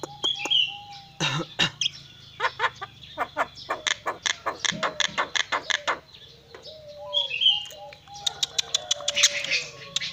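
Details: Javan myna making coughing noises: loud harsh rasping bursts followed by a long rapid series of dry clicks and hacking notes, with short high whistles, then more clustered sharp bursts over a faint low hum.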